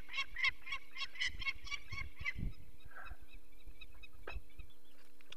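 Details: At a Barycz Valley nest in Poland on 2 May 2023, a peregrine falcon raises the alarm while people take away a chick with eye problems. A quick run of harsh kek notes fills the first two seconds, then fades into low rumbling noise.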